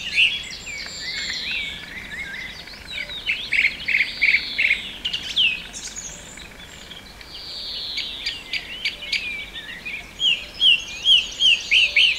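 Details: A song thrush sings at Pulborough Brooks in June 2017, giving loud, varied phrases with each short motif repeated three to five times in quick bursts, over softer songs of other birds.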